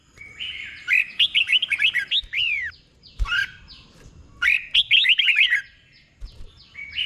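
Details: Red-whiskered bulbul song played as a tutor for caged birds: a held whistle leading into a rapid cascade of lively chirped notes, repeated twice with a gap, bubbly and bright.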